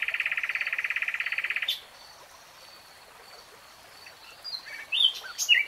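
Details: Common nightingale singing: a loud, fast rattling trill of evenly repeated mid-pitched notes for under two seconds, then a quiet pause with faint high notes and a few sharp chirps at the end.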